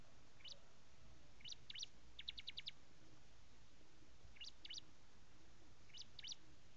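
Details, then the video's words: Prinia giving thin, high chirps in loose pairs, then a quick run of five even, sharp notes, followed by further paired chirps over a quiet, steady background hiss. "Ciblek(jabang karang)"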